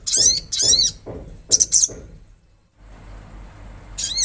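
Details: Olive-backed sunbird, said to be natural: high, sweeping notes with descending slurs in paired bursts, a brief silence, then one more swept phrase, with a faint hum.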